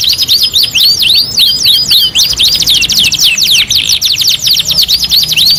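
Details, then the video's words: Canary singing in a two-in-one master tutor recording: rapid, continuous trills of high, looping down-and-up whistled notes, about four per second, with overlapping phrases suggesting two singers. "MASTERAN KENARI 2 IN 1 | CANARY SINGING"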